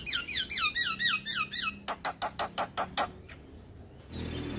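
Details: Javan myna in lively filled-out song, played daily as a tutor for other birds: a fast series of squeaky downslurred whistles, then evenly spaced dry clicking notes, ending in a soft noisy rush.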